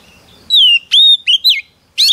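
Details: Female Oriental magpie-robin whistling to stimulate a male: a long downward-sliding whistle, a sustained level whistle, two short slurred notes, then a harsh burst after a brief pause.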